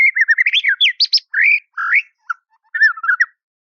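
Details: White-rumped shama calling a rival: clear, fluted whistles that bend up and down, given in short phrases with brief gaps and a few softer notes toward the end.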